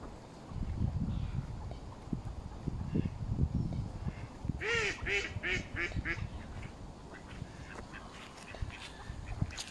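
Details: Mallard ducks at Smith's Pool, Fenton, Stoke on Trent, United Kingdom, feeding in a frenzy with Canada geese on 21 November 2021, recorded on a mobile phone. A burst of loud, harsh, harmonic quacks at mid-clip stands out over murmuring low background noise.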